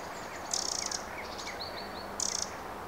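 Eurasian wren giving two short bursts of very high, rapid rattling trill, with a few thin whistled notes between, over a soft background hiss.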